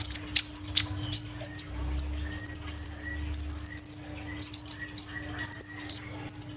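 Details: Kept kolibri ninja sunbird, moved to a new cage three days earlier, singing loud and continuously: dense bursts of very high, thin, twittering notes and short rapid trills, with a steady faint low hum in the background.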